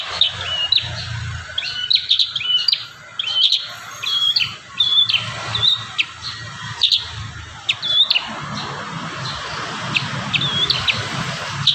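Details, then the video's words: Chatty kurincang song for training young birds: clusters of piercing high chirps and short squeaky slurs in uneven bursts across the stretch, against a constant hiss and low hum. "Masteran terbaru burung kurincang gacor isian"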